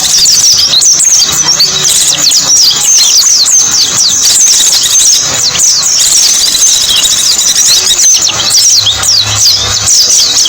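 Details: Many white-eyes sing together in a lure recording for small birds, producing a thick, unbroken mass of high, quick chirps and twitters, with a faint low drone beneath.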